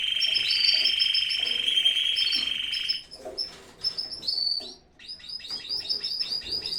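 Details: Canary singing in a home aviary during the breeding season. A sustained, rattling trill runs for three seconds, then gives way to softer scattered chirps and a burst of quick repeated notes.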